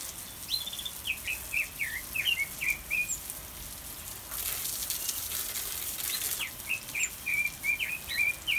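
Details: Pekin robin (red-billed leiothrix) singing in an aviary: two bursts of quick, warbled, slurred notes, each rising and falling in pitch, separated by a brief rushing noise.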